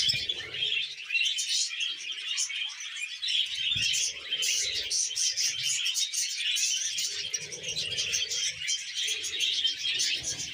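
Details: Happy budgerigar giving extended, lively chatter of rapid chirps and buzzy warbled phrases, with faint low rustles between.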